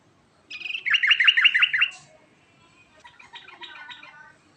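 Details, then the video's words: Yellow-vented bulbul in 'ngerol' rolling song: a loud series of fast, looping warbled notes for over a second, followed by softer chattering notes. "Kicauan Trucukan Ngerol Gacor"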